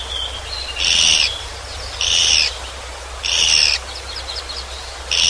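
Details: Japanese pygmy woodpecker giving four raspy, buzzy notes roughly one second apart, with faint thin whistles and ticking notes between them and a constant low rumble behind.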